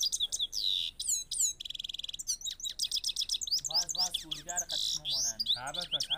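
A Himalayan goldfinch sings a fast, high tinkling twitter of quick trills, buzzy notes and sharp chirps. Lower, voice-like warbling sounds join in over the second half.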